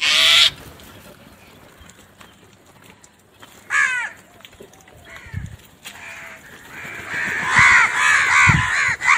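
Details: Crows out searching for food at morning time: scattered harsh caws, one loud at the start and another near four seconds, then a dense chorus of overlapping caws at the end.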